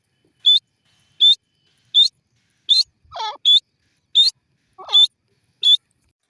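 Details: Feeding black francolin, called teetar: a short, sharp, high piping note repeated about every three-quarters of a second, with a couple of lower, wavering squeaks between.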